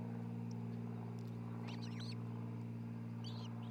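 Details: An osprey couple nesting near Charlo, Montana, nest cam, 27 June 2018: a short cluster of high whistled chirps midway, then a brief second chirp, over a loud steady low hum.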